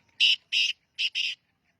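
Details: Young Sindhi black francolin calling with four loud, rasping, buzzy notes arranged as two pairs, each pair closely spaced, in an otherwise quiet setting.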